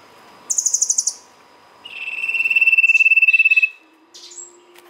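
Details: Lure recording of a sirtu (ashy tailorbird) in song: a short burst of rapid very high ticking notes, then a level buzzy trill of fast pulses holding for nearly two seconds, followed by faint chirps.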